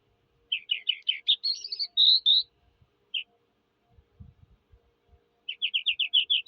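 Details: Skylark song, Eurasian: quick, evenly spaced chirps run into a whistled phrase, then a single note, a pause with faint low knocks, and a final string of rapid repeated chirps.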